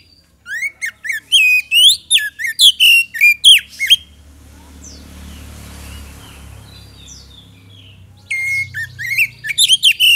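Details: Magpie-robin song used as a lure to provoke an answer from other birds. About four seconds of fast, sharp whistled notes and chirps, then a lull filled with low background rumble, then the rapid whistling resumes.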